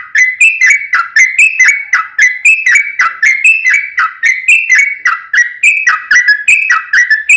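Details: Long rolling song of a sooty-headed bulbul used to make other bulbuls sing: an unbroken string of bright whistled phrases, each a low slur followed by a higher note, repeated rapidly for the whole stretch.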